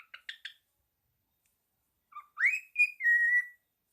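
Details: Pet parrot singing while wagging its tail and tapping: three quick buzzy chirps, a pause, then a rising whistle that levels into a long, steady, slightly falling whistled note.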